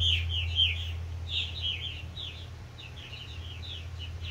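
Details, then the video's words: Purple martins, adults encouraging new fledglings, giving bursts of chirpy, gurgling notes in loose clusters, with a steady low mechanical hum underneath. "Purple Martins encouraging the new fledglings"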